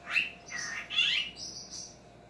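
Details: Talking pet cockatiel, male, indoors watching himself on screen; quick run of bright chirps and whistled notes, rising and then held high, over two seconds.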